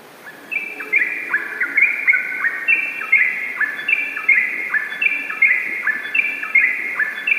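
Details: Yellow-vented bulbul singing in the vigorous ropel style: rapid bubbly upslurred notes, overlapping and tumbling in quick runs, repeated nearly every second, with a faint low hiss behind.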